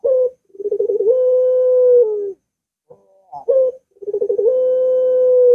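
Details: Barbary dove (puter) of the long-voiced type, used to prompt a reluctant caged dove to sing: a short coo, then rapid stuttering notes rising into a long steady tone of about a second, repeated twice.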